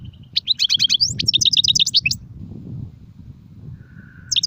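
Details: Goldfinch song, styles sarfati, guezrati and tsersir: a steady run of quick, evenly spaced tinkling notes for nearly two seconds, then low rumbling background and a faint long tone before a final chirp.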